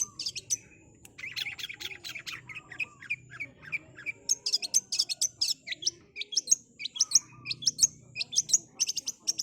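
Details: Long-tailed Shrike pouring out rapid training-recording song: busy twittering chatter that builds into sharp high squeaks and ticks delivered in quick succession, with a soft low hum behind.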